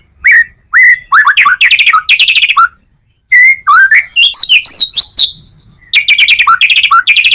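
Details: White-rumped shama full-material song, played to lure other shamas: loud buzzy chattering bursts and upslurred whistles, a brief pause, then a rising series of clear looping whistles followed by more rapid rasping trills.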